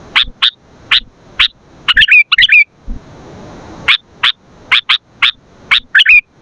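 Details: Sooty-headed bulbul song used to lure and tutor other bulbuls: short, sharp whistled notes, often in quick pairs, with a few fluttering phrases. A hissy gap falls midway, and soft low thumps sound beneath.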